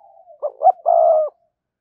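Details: Spotted dove used to lure wild doves, giving one short phrase after a faint coo: two quick rising notes followed by a sustained hoarse coo that cuts off sharply.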